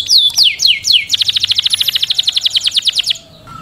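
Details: Canary song opening with four falling whistled slurs, then a fast, even rattling trill of rapidly repeated notes lasting about two seconds before fading.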